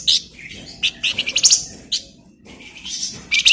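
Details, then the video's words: A flamboyan bird in full song, meant as a tutor for magpie-robins, delivers high sharp chips and quick tumbling phrases, pausing briefly before more shrill notes. "Flamboyan Gacor Bagus'Buat Masteran Burung Murai"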